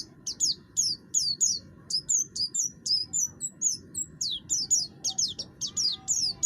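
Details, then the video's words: Buxtoni oriental white-eye singing in a cage, its rough voice used to prompt other birds to sing; quick high chirps in pairs and triplets, steadily repeated with short gaps, low hum behind. "pleci buxtoni gacor, suara kasar, cocok untuk memancing bunyi"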